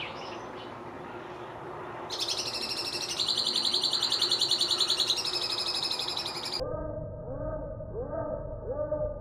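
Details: Chestnut-cheeked starling singing on 14 May 2021: an unfamiliar call identified as this bird. Loud, buzzy, rapidly pulsed high trill held for several seconds, then lower, muffled rising notes after a sudden drop in sound quality, over faint background noise.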